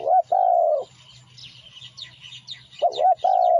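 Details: Spotted dove lure song: repeated two-part coos, a brief quavering note and a long low coo, with a steady low hum and busy chirping of small birds behind.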